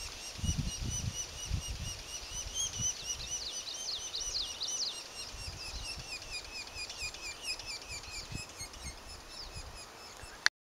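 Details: At a nest near Sisters, Oregon, a red-naped sapsucker gives a busy, high, twittering chatter of quick chirps, about two a second, running throughout over a low rumble of wind.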